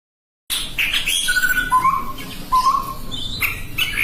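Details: Chestnut-rumped babbler calling: after half a second of silence, drawn-out whistled notes steady near one pitch, some dropping slightly, mixed with sharp, higher chirps and clicks throughout.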